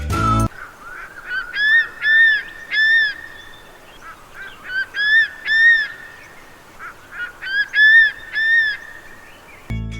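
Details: A Crested Serpent Eagle in Sri Lanka gives loud, ringing whistled notes in short bursts of two or three, repeated every few seconds. A steady hum of insects sits underneath, with brief music at either end.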